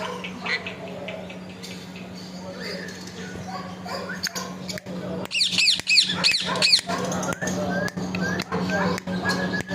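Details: Pet parrot talking continuously: soft murmured syllables build into a loud burst of harsh, squawky repeated notes around the middle, then clipped sharp calls, with a constant low hum behind.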